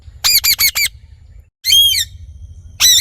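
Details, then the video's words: Parrot producing a rapid burst of four short, nasal harmonic notes, then two longer, wavering squawks after a pause. "Parrot Natural Sounds / Voices"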